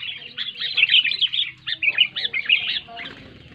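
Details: Sooty-headed bulbul giving a loud song meant to prompt silent bulbuls to sing: clusters of bright chirping notes, louder in bursts, fading toward the end against soft background noise.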